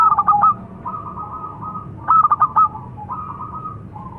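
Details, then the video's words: Local perkutut, the zebra dove, gives a rapid stuttering run of short cooing notes followed by long level coos. Two phrases are heard against quiet background noise. "Suara Burung - Perkutut Lokal"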